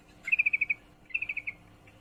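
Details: Female sooty-headed bulbul in heat calling to a male, giving two quick runs of sharp clipped notes, the first of about seven, the second of about six, fading slightly at the end.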